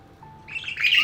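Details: Hand-raised budgerigar chicks calling to their mother because their crops are empty, in the breeding season: rising, raspy begging chirps that grow louder and more insistent over a second, with a faint steady tone underneath.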